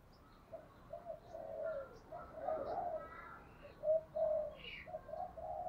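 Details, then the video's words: Decoy spotted dove calling to provoke wild birds, recorded against steady background hiss; a run of soft, low, repeated coos with faint higher chirps from other birds. "Chim Cu Mồi Thúc Đấu, tiếng gáy hạp bổi, bổi nghe gáy"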